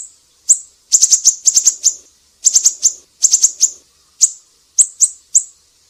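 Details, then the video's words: Siri-siri chipping, recorded as tutor song for kept birds: brisk bursts of three to four high sharp notes, then evenly spaced single chips toward the end, with faint low rustle in the background. "Masteran burung siri-siri GACOR"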